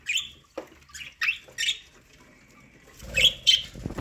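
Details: Pet budgerigars eating corn, giving short sharp high chirps in quick irregular bursts with a pause midway, along with soft clicking and rustling from feeding.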